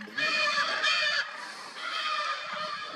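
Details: Lear's macaws in the wild in Brazil, with a young bird nearby, during courtship: two loud bursts of raspy, nasal squawking with heavy overtones, the second longer and softer.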